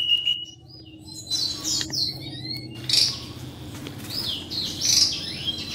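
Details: Singing during breeding season, a cross between a male grey singing finch and a female black-throated canary gives bright high chirps and quick warbled slurs. A brief pause interrupts the notes, and a low background hum continues throughout.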